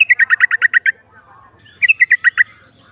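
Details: Female yellow-vented bulbul singing to provoke rival birds: a quick burst of about nine bright, slurred chirps, a pause, then a shorter run of six similar notes.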